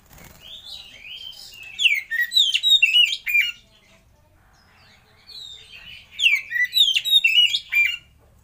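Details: Oriental magpie-robin singing a lure and master song meant to prompt other birds: two bursts of rich, varied whistles and sharp chirps, each lasting about two seconds, separated by a short quiet pause.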